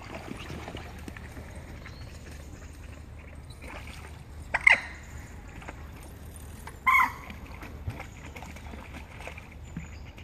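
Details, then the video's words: Common moorhens fighting hard on Heslington West lakes: two loud, abrupt harsh calls a couple of seconds apart, with splashing water and a low background rumble between them. "Fighting moorhens"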